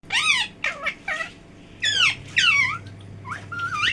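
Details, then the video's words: Talking parrot producing a series of harmonic, speech-like phrases: sweeping rising and falling tones in short bursts, with brief pauses between utterances and a low steady hum beneath. "Talking parrot"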